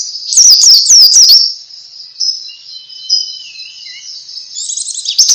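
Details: Pleci (white-eye) ngalas song, played to trigger other birds: a burst of quick high chirps, then a long thin faint warble with a low sliding whistle, and renewed twittering at the end.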